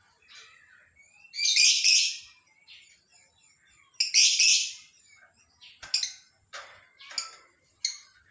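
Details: Lovebird heard in the morning giving loud harsh high chirp bursts, two long squeaky phrases followed by a string of short sharp clicks and chips.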